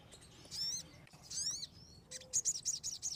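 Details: Kemade in the wild giving two high, slurred rising whistles, then a quick run of sharp, very high chirps repeated about every tenth of a second.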